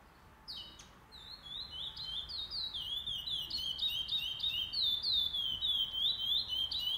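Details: Pardo curió (Chestnut-bellied seed finch) singing at a tournament's first stage, 08/11/2020; after a brief sharp note, a fast run of high whistled notes dipping and rising, repeated about three times a second and growing louder.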